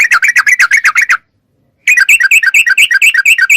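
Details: Lively sooty-headed bulbul, recorded to stimulate caged birds to sing: a dense fast stream of short bright notes, cut off abruptly, then resuming as a rapid, slightly higher chatter.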